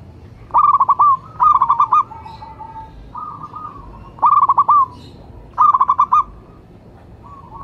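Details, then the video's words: Calling local zebra dove, presented as a lure and prompting call. Clipped, rapid cooing phrases repeat at irregular intervals, about sixteen per minute, each a stuttering burst trailing into a level, held note. "Perkutut lokal gacor jawara pikat dan pancingan nada suara panggilan"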